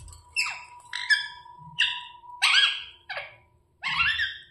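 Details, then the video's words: Pet rose-ringed parakeet calling indoors: about six harsh, raspy squawks with shrill overtones, spaced irregularly under a second apart, over a faint steady tone and soft low room noise. "Parrot chirping sounds | Naturals Sound Ringneck parrot"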